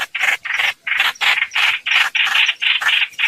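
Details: Streak-eared bulbul lure recording for trapping birds: about a dozen short, grating, scratchy bursts in quick succession, roughly three per second.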